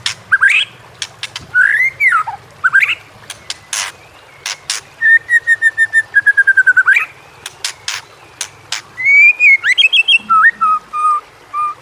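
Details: White-rumped shama training song used to prompt lazy birds to sing: varied loud whistled phrases, slurred rising notes, a long steady whistle near the middle and clicking sharp notes scattered between, with faint background noise.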